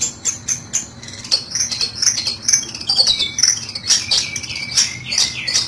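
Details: Long-tailed shrike used to lure birds into traps: irregular scratchy chirps and squeaky high notes mixed with brief descending whistles, fairly loud and continuous.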